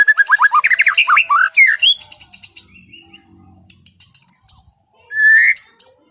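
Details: Captive white-rumped shama in relaxed afternoon song, starting with a rapid tumbling series of slurred whistles and rattles, then quieter scratchy notes and a loud rich whistled phrase near the end.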